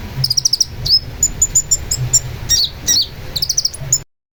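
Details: Long-tailed shrike singing vigorously for bird training: quick chattering runs of high, clipped chirps and slurred whistles, tightly packed, ending abruptly after about four seconds.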